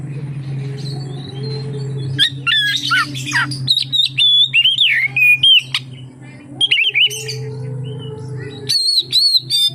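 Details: Oriental magpie-robin singing to prompt other magpie-robins to sing: after a quiet hum-filled opening, a burst of varied whistles and chatter, then short clipped whistled notes repeated quickly near the end.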